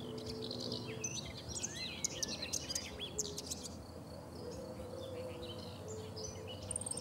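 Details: Common whitethroat, Sava riverside in Zagreb's Prečko, Croatia, 3 June 2017: an energetic scratchy chattering warble for about three seconds, then sparser high notes, over faint low rumble.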